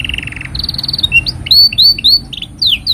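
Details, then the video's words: Long canary song used as a tutor for young birds: rapid even trills at two pitches, then a series of quick downward-slurred whistles repeated about four times a second. "Kenari Gacor Panjang Ini Bagus Untuk Masteran Kenari Paud Dan Pancingan Kenari Bisu"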